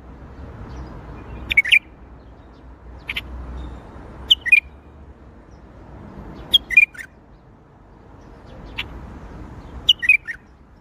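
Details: Bulbul giving its Baghdadi-style song as short two- or three-note chirpy phrases, each dropping slightly in pitch, spaced roughly every two to three seconds against soft background noise.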